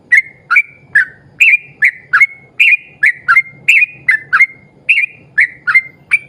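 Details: Yellow-vented bulbul singing hard in the long 'ropel panjang' style to draw other bulbuls into song: a dense, rapid string of about sixteen bright whistles, alternately rising and falling, nearly continuous.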